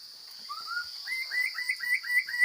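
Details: Wild forest Chinese hwamei singing with a strong voice: a few short rising whistles, then a run of quick slurred notes repeated about every quarter second. A steady high-pitched drone continues throughout.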